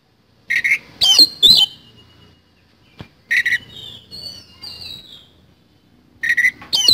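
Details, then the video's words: Oriental magpie-robin singing in the isian kasan style: grouped notes pairing a buzzy lower rasp with a loud twisting whistle, plus a soft thin high warble between groups. "BURUNG KACER GACOR ISIAN KASAN"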